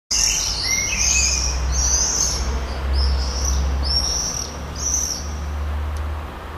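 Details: Common swifts at a breeding colony in Heverlee, Leuven, on 20 June 2018 at 22:30, banging and screaming shrilly in quick overlapping bursts, several birds calling about once a second over a low rumble of wind or traffic.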